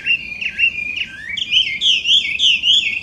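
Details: Chinese hwamei (Garrulax canorus), an invasive wild bird in Japan, singing very loud, rich whistled phrases that slur up and down, about two notes a second, with varied repeated motifs.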